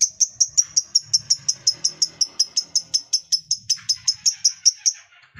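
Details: Lovebird ngekek, a long trilling chatter used to prompt other lovebirds to sing: clipped, high, squeaky notes repeated steadily about four per second for five seconds, with faint background murmur.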